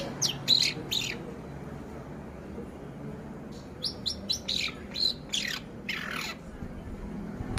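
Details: Four-month-old long-tailed shrike singing with mimicry of the Javan white-eye and canary: short high chirps and sharp notes, a burst near the start and another run of quick notes in the second half, steady low background hum.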